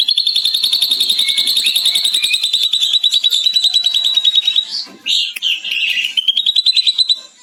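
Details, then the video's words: Ashy drongo mimicking a lovebird's long ngekek, recorded as master audio for training other birds: a long, piercing, evenly pulsed high trill, broken by a few harsh squeaks before the rapid trill resumes. "Srigunting Abu Abu Isian Love Bird Ngekek Panjang"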